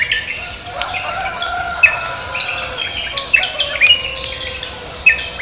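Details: Cucak kombo singing lively in the morning: short clear whistled notes and sharp chirps, several bright upslurred whistles near the end, over a busy background of other chirping birds.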